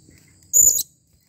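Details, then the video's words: A single loud, piercing high squeak from a blue-crowned hanging parrot (serindit) calling, lasting about a quarter second, with silence around it. "Serindit Memanggil"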